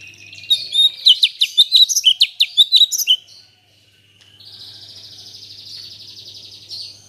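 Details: Cucak cungkok still relearning its song after moulting; a quick run of sharp high chirps and sweeping notes, then a short gap and a long, even, buzzy high trill, with a faint low hum underneath.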